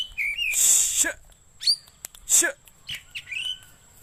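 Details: Oriental magpie-robin, or kacer, used for luring and training birds: harsh raspy bursts alternate with brief whistled slurs and a wavering high note, over a thin constant background whine.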